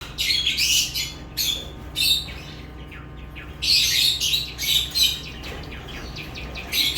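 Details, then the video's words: Lovebirds chirping: harsh, high, noisy bursts of about half a second, coming in clusters with short pauses between them, over a steady low hum. "Love birds chirping sounds"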